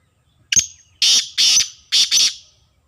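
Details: Black francolin (kala tetar) of a pure Sheedi line: one sharp clipped note, then four loud, harsh, grating notes in two close pairs over about two seconds, against a quiet background.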